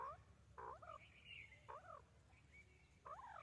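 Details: White francolin, or white teetar, giving four harsh, curved, two-part notes spaced about a second apart, with a faint high thin whistle between them and low background rumble.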